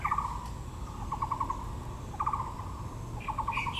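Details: Taiwan blue magpie in Yangming Park, Yangmingshan National Park, Taipei, among azaleas: four short bursts of harsh, rapid clicking rattles, evenly spaced about a second apart, with faint higher chirps and low background rumble.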